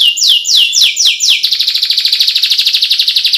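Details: Canary song meant to prompt quiet canaries to sing, opening with five loud sweeping downward whistles, each about a quarter second, then breaking into an even, fast pulsed trill.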